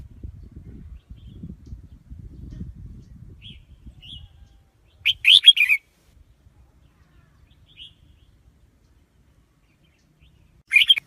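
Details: Red-whiskered bulbul singing: short, bright, warbled chirpy phrases in two loud bursts several seconds apart, with a few soft single notes between them; low rumbling background noise during the opening seconds, then quiet.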